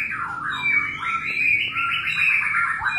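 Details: White-rumped shama in mating, pouring out a continuous fast series of rising and falling whistled notes.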